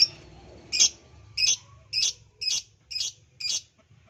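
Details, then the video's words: Lovebird, played as a lure to prompt another lovebird into singing: a series of six sharp, bright chirps spaced about half a second apart, over a faint low hum. "pancingan ampuh love bird jadi bunyi"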